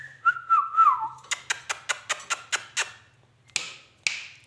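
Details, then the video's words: Pet rose-ringed parakeet, a talking bird that mimics speech and a cat, indoors: a wavering whistled note, then a quick series of eight sharp clicks, followed by two harsh rasping bursts. "talking heavan beutyfull magical ringneck coco ringneck parrot amazing ringneck parrot"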